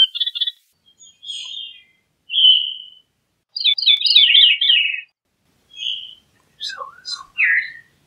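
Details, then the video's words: Singing Veery giving scattered phrases: short burry notes, a steady whistle, a quick tumbling trill, then a few clipped notes and a lower slurred note near the end. "Veery Bird Song, Sound, Call, Chirp, Melody - Zorzalito Rojizo Canto"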